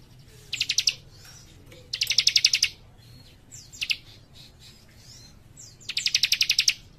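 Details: A young cikrak sings energetically. Short and long bursts of rapid, high chirping pulses alternate with thin sliding whistles, and the longest trill lasts about a second.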